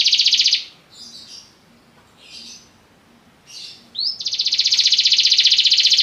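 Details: A Belgian canary's song: a brief fast trill, several quiet soft twittering phrases, then a quick upward slur leading into a long, loud, evenly pulsed high trill.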